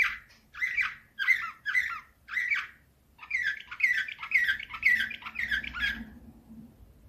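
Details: Canary singing in the nightingale-like Slavujar style, recorded in 2024: bursts of rapid trilled, warbling notes repeated about twice a second, a pause near the third second, then denser chattering phrases with a faint low hum beneath.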